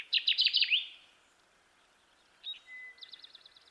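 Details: Song of Kirtland's warbler (Setophaga kirtlandii): an opening burst of about six loud, emphatic chipping notes. A quiet pause follows, then a faint, thin, even trill and a soft whistle in the background.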